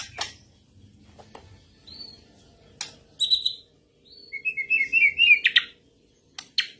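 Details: White-rumped shama, another bird answering a master recording: scattered clicks and a short high burst, then a rapid chattering warbled phrase of quick repeated notes, followed by more clicks.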